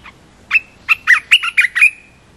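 A red-whiskered bulbul sings a quick, bubbly phrase of about six loud chirping notes in under two seconds, ending in a thin, steady whistle.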